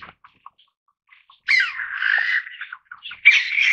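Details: Taiwan bamboo partridge, endemic to Taiwan, giving a few faint ticks, then a loud, harsh, buzzy call that breaks off and restarts more strongly near the end.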